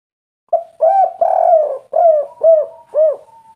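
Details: Agitated spotted dove delivering a lively "kuk 3" coo series in a natural local voice. Six deep, rounded coos follow each other roughly twice a second, and the third is stretched longest. A faint steady tone lingers in the background.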